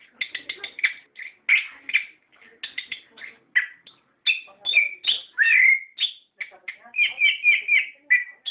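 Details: Lure recording of an orange-headed thrush meant to make caged birds sing back: dense, rapid song of clipped chirps and fluid whistles, with a rolling warbled passage and a falling slurred note near the middle.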